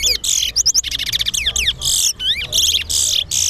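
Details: Competition song of a towa towa at the Sheriff Street bird ground in Guyana. Quick high whistles, steep downward slurs and harsh buzzy bursts follow one another with barely a pause.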